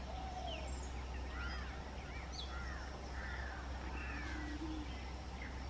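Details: Yellow-footed green pigeon at Mezhathoor, Palakkad: soft, musical whistles arch up and down in overlapping phrases, some rising, some falling, over a steady low hum and faint background noise.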